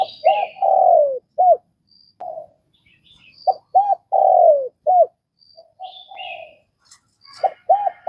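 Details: Spotted dove in Vietnam cooing in repeated phrases of arched notes and a long falling coo, while another bird adds high thin chirps in the background.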